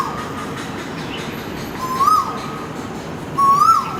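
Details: Asian koel giving two clear whistled notes, each sliding upward, about a second and a half apart, over a steady low hum; it called just outside a window before dawn, visiting about twice a year for months.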